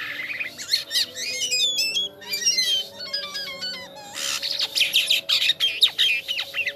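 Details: Jalak kapas starling in gacor song, a continuous stream of chattering, squeaky notes and quick clipped whistles, busy and varied throughout.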